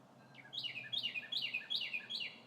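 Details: Singing from trees under spring sunshine, a red bird delivers one short upward note, then five ringing downward-sliding whistles at a steady, quick pace, with nothing else audible.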